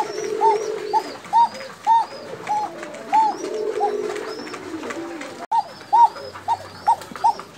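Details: Fancy Bashiraj koka pigeons from Tangail alternate short, punchy arched notes with stretches of low murmuring coos, and faint thin high whistles sound behind them.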